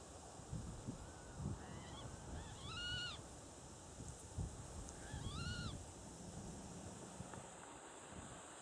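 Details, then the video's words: Water rail calling from vegetation along a dike at De Onlanden, Netherlands, in November 2012; two drawn-out, rising-then-falling squealing notes a couple of seconds apart, over steady low wind and background rumble. "Waterral, roepend in de Peizerweering"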